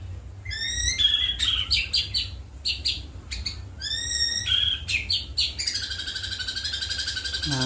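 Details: ['White-rumped shama, a caged songbird, delivering a song stuffed with cililin, jenggot and kapas tembak mimicry. Short bursts of fast whistled notes and chips alternate, ending in a long sustained trill, with a low hum underneath.']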